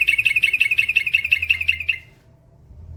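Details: Yellow-vented bulbul (trucukan), male, a singing bird in full voice delivering a long rapid trill (ropel panjang). The trill is a fast run of bright, even chirps for about two seconds, then it stops into quiet with a faint low hum.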